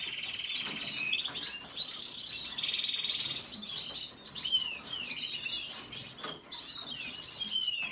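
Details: Red siskin song: a buzzy high rattle opens, then a stream of sharp chirps and thin downslurred whistles, steady and unbroken.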